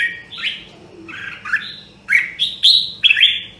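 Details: Red-whiskered bulbul song in the rare Nam Đông, Huế style, used in voice training: a few bright slurred notes, then rising emphatic whistled phrases at the end, over a low hum.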